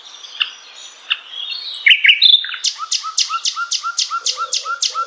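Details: Common nightingale song, offered as tutor material for training murai batu and other contest songbirds: thin high whistles and short scattered notes, then a rapid, loud series of about ten repeated chattering notes over the final three seconds.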